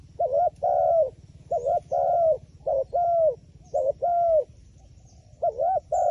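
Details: Wild pigeon, described as clever and wary of the phone camera, giving low mellow coos in paired phrases: a short note followed by a longer falling note, repeated about every second with brief pauses.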